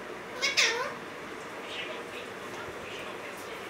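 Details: Caged Alexandrine parakeet from a male-female pair; one short harmonic call curving down in pitch near the start, then steady indoor background hiss.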